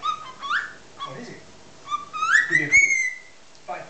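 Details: Pet cockatiel aged six months whistles a copied tune, Chocobo or Addams Family theme, with clicks. Short notes lead into a long upward-sliding whistle that ends in a sharp click. Faint background chatter is also heard.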